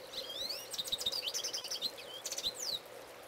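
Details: A male goldfinch sings nearby in a continuous, lively stream of high notes: rising slurred whistles, rapid chattering chirps and twittering trills, with a constant low hum beneath.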